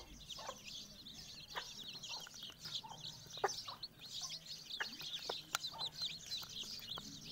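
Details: Mother hen with her chicks: constant high-pitched chick peeping fills the background while short, soft clucks and clicks from the hen break through at irregular intervals.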